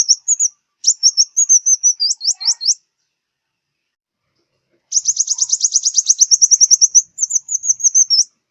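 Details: High, rapid twittering of a sunbird (local five-colour sunbird of southern Vietnam), played as a glue-trap lure: a rolling run of sharp notes with down-slurs, a silent gap, then a long dense trill and slurred whistles.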